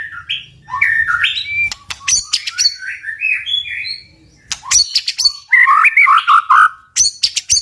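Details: White-rumped shama delivering forceful 'tạch' song to egg birds on to fight: bursts of sharp clicks between varied whistled phrases, with a quieter stretch midway and a dense warbled run late on.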